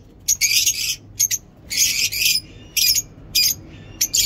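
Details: Lovebirds in a mini zoo sound off with rasping, shrill bursts of noisy chatter, each lasting about half a second, alternating with brief clipped squeaks and short pauses.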